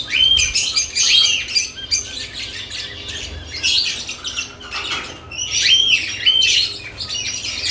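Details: Several lovebirds active at added nest boxes, giving a steady stream of shrill overlapping chirps and short squeaks in loud bursts, with brief quieter gaps between flurries.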